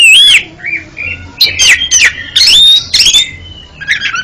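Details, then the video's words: Oriental magpie-robin singing, offered as therapy for a stuttering singer: loud rising and falling whistles and looping warbles alternate with harsh, grating phrases in a fast, varied flow. "TERAPI KACER ANDA YANG GAGAP BUNYI JADI JOSS KICAUANNYA"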